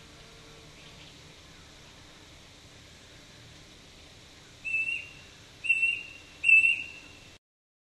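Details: A Brush cuckoo (Cacomantis variolosus) calling at Kobble Creek, south-east Queensland, on a dull day gives three clear, high whistled notes, each slightly rising, about a second apart, after a few seconds of quiet background hiss.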